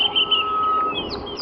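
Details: Drongo in a mixed bird party on a sunrise safari drive, 22 October 2015, mimicking a rattling cisticola: a few quick high chirps, then a long steady whistle under brief, thin upward-sweeping notes.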